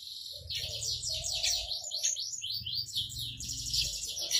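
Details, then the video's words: Javan bush lark in rolling 'ngerol' song, calmly perched on a stone: a fast, continuous cascade of high, thin, downslurred chirps and buzzy trills with hardly any pause, over a faint low background rumble. "Branjangan Javanica Gacor Istimewa - Ngerol Anteng"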